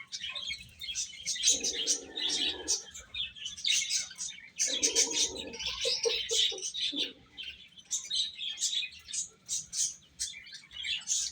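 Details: Little chicks eat and chirp together. High, sharp peeps crowd over each other throughout, with two short bursts of lower, rougher sound near the start and middle.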